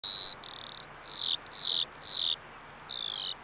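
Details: Eurasian skylark at a bulb farm in Saanich, British Columbia, giving clear, high whistled notes, several slurring downward, in an uneven series of about two per second over steady background hiss.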